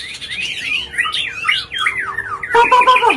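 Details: White-rumped shama singing agitatedly to provoke other birds: a quick cascade of downward-slurred whistled notes, ending in a burst of harsher, buzzier chatter.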